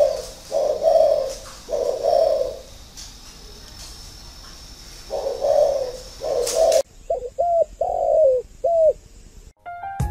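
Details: Six-year caged decoy spotted dove giving low, soft coos in a series, then a sharper run of short clipped coo notes after an abrupt change in background.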